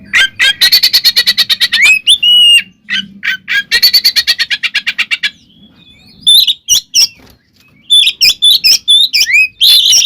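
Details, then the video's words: Loud, clear fighting song of an oriental magpie-robin used to make rival birds aggressive: two long bouts of fast, evenly spaced chattering notes with a faint low drone beneath, followed by mixed whistles, squeaks and harsh calls. "SUARA BURUNG kacer gacor NGEPLONG NGEKEK TARUNG ini paling AMPUH buat PANCINGAN KACER agar EMOSI"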